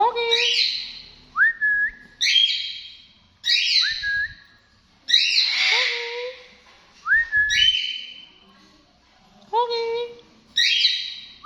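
A sun conure gives loud, ringing calls with sharp upward sweeps, repeated every second or two.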